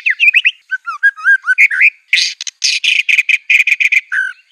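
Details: White-rumped shama in full song with mimicked canary, cililin, cungkok and LB kapas phrases: twisting whistled notes at first, then a run of harsh, repeated raspy bursts, closing with a low slurred whistle.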